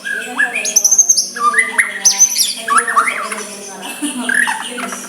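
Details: White-rumped shama soft song used to provoke a rival into replying: varied whistles, high ringing notes and slurred phrases in quick succession, over a low constant hum.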